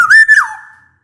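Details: Black-naped oriole singing energetically, offered as a lure to get reluctant orioles calling: one short, loud, flute-like whistle that holds level and slides down at the end.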